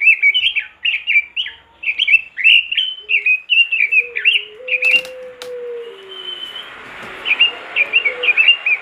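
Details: Robin in full vigorous song, played to coax other robins into singing: fast bursts of bright chirping whistles for about five seconds, a brief clatter and a low drawn tone, then the chirping resumes.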